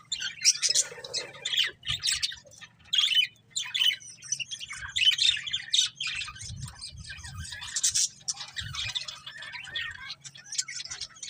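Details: A breeding pair of pet budgerigars chirping indoors: dense, scratchy high warbles and short tweets in bursts, with brief pauses between phrases and a faint low hum beneath.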